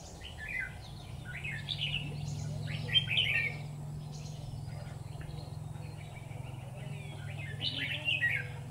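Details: Red-whiskered bulbul decoy singing in a trap: short bright warbled phrases with slurred rising and falling notes, spaced irregularly over steady low hum and background noise.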